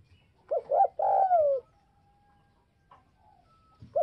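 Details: Spotted dove calling to incite other doves: two quick rising coos lead into a long falling coo, then a faint thin tone and the start of a new phrase.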